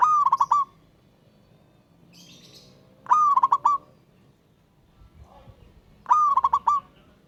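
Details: Wild local zebra dove cooing to call a rival, three phrases about three seconds apart, each a rising note followed by a rapid run of short coos; faint chirps in between.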